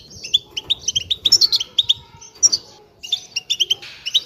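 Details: European goldfinch group calls meant to excite and encourage singing: sharp tinkling twitters delivered in short rapid runs, a brief pause near three seconds, then more clustered chirps, with light rustling behind.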